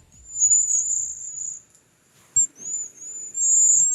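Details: A flock of cedar waxwings on migration in the southeastern United States, at backyard berry bushes, gives thin, very high, lisping trills that overlap almost continuously with one short gap, over a faint low rumble.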